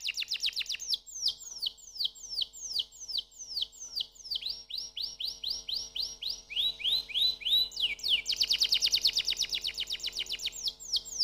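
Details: Canary song of many falling whistled notes repeated steadily, shifting into rising slurs and then a dense, loud rapid trill toward the end.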